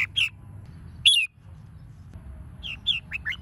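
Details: Red-whiskered bulbul lure singing, played to stimulate other bulbuls into competitive singing; short, bright whistled notes in scattered groups, a loud slurred phrase near the middle, then several quick chirps close together at the end.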